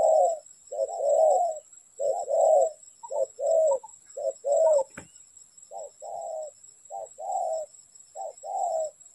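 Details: Spotted dove calling near a trap, a run of low coos grouped as short lead notes plus longer purred notes, repeated steadily, with a single sharp click midway.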